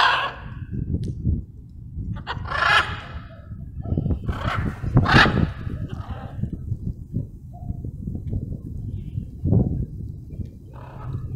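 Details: Wild blue-and-yellow macaws relaxing at sunset on a dark, cloudy evening; harsh, raspy squawks come in scattered bursts, several close together mid-clip, over a steady low rumble.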